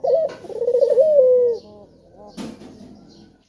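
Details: A single throbbing coo from a male spotted dove used as a lure caller. It slides down and fades after about one and a half seconds, followed by a soft knock and quiet.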